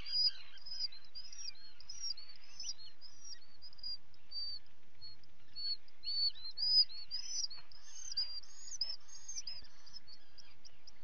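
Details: Common guillemot chicks during feeding, captured on a live webcam on 28 June 2020: a busy stream of high, piping whistles, each arching up and down, repeated almost twice a second with faint murmurs beneath.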